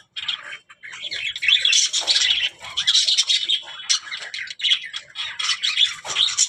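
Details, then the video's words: Budgies talking: dense, continuous warbling chatter of scratchy notes, squawks and brief whistles, high-pitched and running almost unbroken for six seconds, with a few short pauses in an indoor setting. "budgies parrot talking | chidiya ki awaz"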